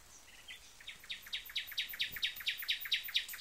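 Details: Nightingale singing: a few soft opening notes, then a rapid, steady series of loud, sharp repeated notes, about two each second, growing slightly louder.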